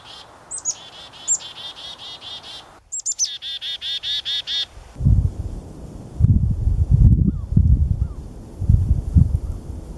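Two bursts of the Black-capped Chickadee's call: a high, thin opening note followed by a rapid string of eight to ten buzzy, harsh 'dee' notes, then low rumbling noise.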